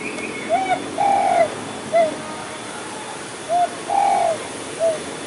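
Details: Spotted dove, possibly a plump male, near the Ciliwung river during a hunt gives soft, mellow three-part coos, a short note, a drawn-out middle note, then a brief final note, repeated twice over faint outdoor hiss.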